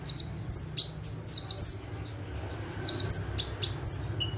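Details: Bar-winged prinia singing actively from a single perch in 'tembakan' style, with bright high two-note chirps in quick clusters, a short pause, then more bursts and a lower whistle.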